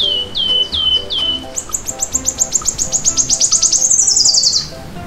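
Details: Bright canary song opening with clear down-slurred whistles, then breaking into a long, rapid, very high rattling trill that ends in a buzzy slide; faint background music throughout.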